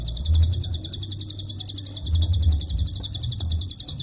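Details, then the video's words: Prinia klik call used as training material for songbirds: a long, tight stream of crisp high-pitched clicks in quick succession, steady throughout, with low rumbling noise underneath. "Prenjak Klik Super Edan Tembakan Rapat & Panjang"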